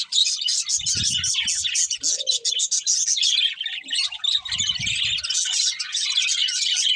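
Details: Contented budgerigars singing as they eat: a constant wash of high chirps and chattering warble from several birds, broken twice by soft low rumbling bursts and one short mid-pitched squeak.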